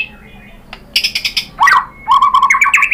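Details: White-rumped shama lure song to provoke others into singing: a faint thin whistle, a buzzy chattering burst, a swooping note, then a fast run of twittering whistles.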